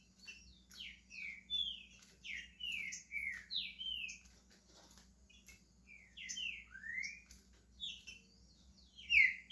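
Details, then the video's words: Green-winged saltator, a pet in Brazil just starting to sing, pours out many quick downslurred whistles and chirps in uneven bursts over a faint low hum. "Trinca ferro SHREK começando a cantar"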